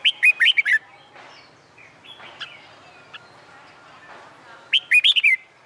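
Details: A Red-whiskered bulbul singing contest song on a sunny summer day, used for training. Two crisp phrases of five or six fast whistled notes open and close the passage, with faint calls and soft murmurs between.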